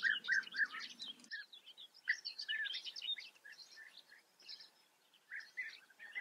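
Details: European bee-eaters at a breeding colony in the Eifel, Germany, calling in a busy chorus of liquid, rolling 'prruit' notes, several birds overlapping in quick bursts with brief pauses between.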